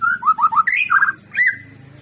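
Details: White-rumped shama song from a recording played to stimulate birds to sing, continuous rich whistled phrases rising and falling, with a faint low hum underneath.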